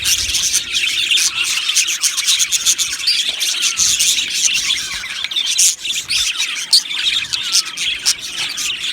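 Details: Colony of budgies in an aviary singing and chirping; a nonstop jumble of chirps, chatter and clicking notes, with occasional louder squeaky calls standing out.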